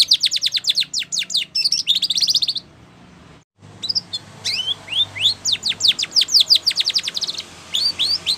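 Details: Singing Spanish Timbrado canary for training: fast repeated descending notes and a buzzy trill, a brief silent gap, then rising whistles and more rapid sweeping phrases.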